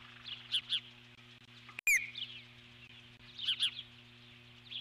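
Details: Eagle at the nest calling in alarm at an intruding large bird, 12 July 2014; doubled high chirps, a sharp falling squeal in the middle, then more paired shrill notes, with a steady hum underneath.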